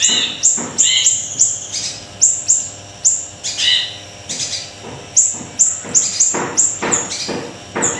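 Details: Small siri-siri in vigorous song, used as a training lure, gives a long series of shrill falling chirps and short buzzy phrases, with faint clicks in the background.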